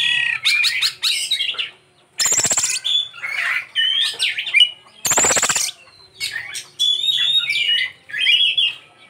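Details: Oriental magpie-robin (kacer) singing its isian, a varied song filled with learned phrases: fast whistled and warbled bursts with two harsh rasping squawks between them and short silent gaps.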